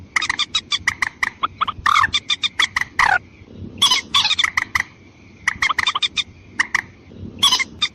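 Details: White-breasted waterhen calling in a lure track aimed at males and females: dense, rasping, repeated croaks in fast volleys separated by short gaps, backed by a continuous thin whine.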